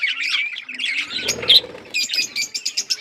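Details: Australian parrots chattering in scratchy bursts, followed by a string of short, regularly repeated chirps.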